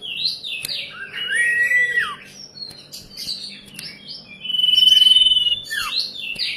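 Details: A young ashy drongo imitating the song of a common iora: clear whistled notes sliding up then down, a long level whistle held near the end, with faint background hum.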